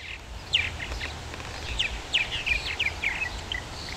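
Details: Purple martins calling at a nesting colony in Somerset County, Maryland: irregular bursts of short, chirping and gurgling notes, several birds overlapping, with soft outdoor background noise.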